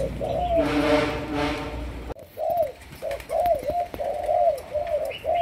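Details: Young Malaysian-strain spotted dove in training as a decoy. A harsh, buzzy burst opens the clip, then it gives a run of rounded, low coos, several a second, with brief gaps.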